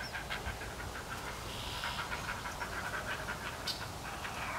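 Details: Begging from three nestling herons waiting for a parent with food, a dense, hurried clatter of short clicks repeating many times per second over soft background noise.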